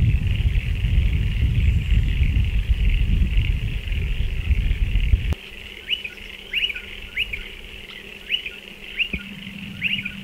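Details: Striated pardalote at nesting burrows dug into a dry stone wall. Heavy wind rumble for the first five seconds, then short sharp upswept notes repeated about every half second over a quiet background.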